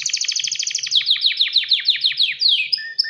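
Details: Canary male calling a female to mate, delivering a fast repeated series of sharp chirps that slow into sweeping downslurred notes, ending in a couple of clear steady whistles.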